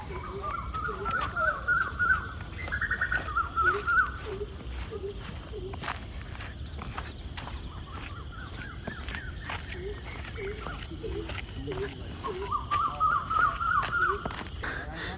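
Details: Asian koel giving rising, repeated whistled notes at dawn on a cold early morning by a date-palm sap collecting area in woodland, amid a chorus of chirping birds, with people talking and footsteps nearby.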